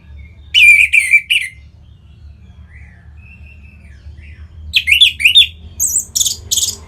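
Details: Song of an orange-headed thrush, played to encourage other birds to sing: two bursts of rich, rapid warbling separated by soft whistled slurs, the second burst ending in higher, squeaky notes.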